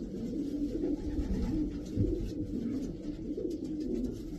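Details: Davy Van Roy racing pigeons, a group of twelve housed indoors, produce murmuring low coos with small upward swoops, layered continuously over a dull background hum.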